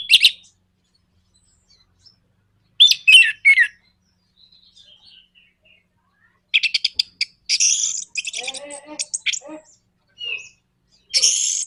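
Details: Orange-headed thrush, kept as a cage bird, giving a nraktak konslet provocation song meant to rouse other birds into singing: scattered high chirps and squeaky notes, quiet gaps, then a dense rapid run of rattling notes near the end.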